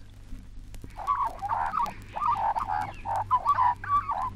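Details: A currawong from a 1968 Australian wildlife record gives a run of rich, gurgling mid-pitched notes, about eight in three seconds, over a faint low hum from the old recording.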